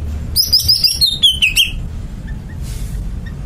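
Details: Greater green leafbird delivering a rhythmic string of around nine high chirped notes that step gradually downward, ending in a lower slurred whistle, then soft faint chips.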